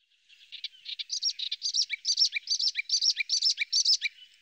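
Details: Eastern olivaceous warbler, rare in Italy, recorded in a garden in the Bassa Modenese in May 2023. A clean, cyclical song: scratchy, chattering phrases repeated rhythmically, each ending with a short dropping note, and no other sounds.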